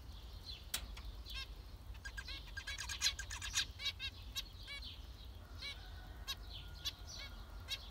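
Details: Zebra finches giving a busy series of short nasal, buzzy beeping calls, several birds overlapping at an irregular rhythm of about two calls a second, over a low background hum.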